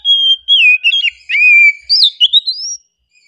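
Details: Oriental magpie-robin giving a relaxed, calming song: a long level whistle, then bright slurred notes rising and falling, one low dipping whistle held steady, ending in quick upward-sweeping phrases, with no other sounds.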